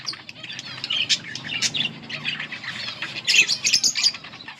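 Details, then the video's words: A yellow pair of budgerigars chatter in a busy, continuous stream of high, scratchy chirps and warbles, rising into louder bursts near the end. "budgies chirping sounds"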